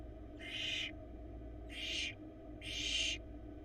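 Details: Florida barn owl nestling, a camera-monitored chick trying to swallow a huge rat, utters three loud, drawn-out raspy hisses about a second apart, each rising and falling in strength, over a faint background hum.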